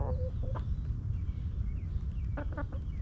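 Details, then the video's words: Hens in a backyard chicken coop: a short nasal cluck and a brief note at the start, then a quick cluster of rapid clucks near the end, with deep rumbling in the background. "Rooster Crowing! Hens Clucking!"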